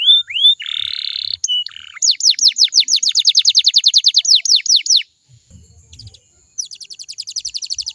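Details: Canary singing, used to stimulate other canaries into answering: short rising whistles and a buzzy note open into a long, steady series of sharp descending sweeps, then a pause with faint low thumps before a fine, very high trill.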